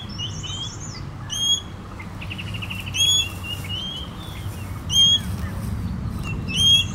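Common green magpie giving loud, clear whistled notes with a harsh edge, repeated about every one and a half seconds, over thin twittering from other birds and low rumble.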